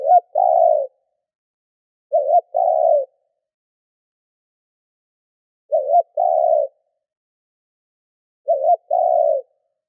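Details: Caged lure spotted dove calling to draw in other doves; four low coo phrases in ten seconds, each a brief wavering pair of notes and a longer flat hoot, spaced irregularly.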